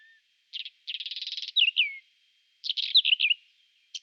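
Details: Whinchat singing in April 2020, spring: a rapid buzzy trill followed by two clear downslurred whistles, a pause, then a second phrase of scratchy and whistled notes; a faint steady high tone persists.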